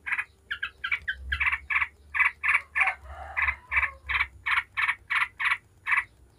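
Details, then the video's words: Yellow-vented bulbul chatter in the 'ngebren' style, meant to set other bulbuls singing. A few quick stuttered notes lead into evenly spaced harsh calls, about three per second. "Trucuk ngebren bikin ribut trucuk manapun dijamin langsung nyaut ribut"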